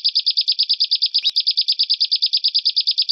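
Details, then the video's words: Harsh 'besetan kasar' training song for caged songbirds and competitions: an unbroken rapid chatter of piercing buzzy notes, around seven per second, with one brief click partway through. "MASTERAN BESETAN KASAR|| Bringas Kasar suara BESETAN kasar"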